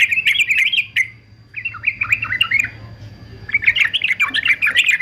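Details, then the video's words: Male fighter-type yellow-vented bulbul singing, used for song training: fast bubbly chattering phrases of bright, wavering notes, a short pause near the middle, then another burst of rapid chatter. Faint low hum underneath. "TRUCUKAN JANTAN FIGHTER ANTI BISU"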